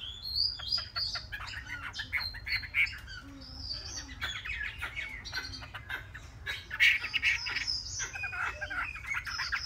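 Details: Chinese hwamei, three months old, in continuous varied song: high clear whistles mixed with fast chattering notes and buzzy trills, louder toward the end, over a constant low hum.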